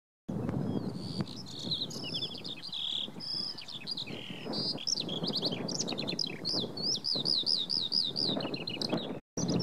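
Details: Eurasian skylarks sing a continuous high, rapid stream of chirps, trills and warbled phrases over low wind rumble at Oksywie, drowning out a whinchat perched on a post.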